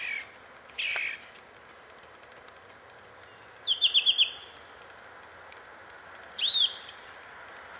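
Song thrush singing a bright, high phrase of five quick repeated notes, then a shorter whistled phrase and thin high notes, over a steady background hiss.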